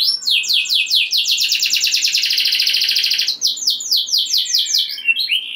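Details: Energetic canary singing, played to stir other canaries: quick descending chirps that merge into a long, even, rattling roll, followed by several slower slurred whistles.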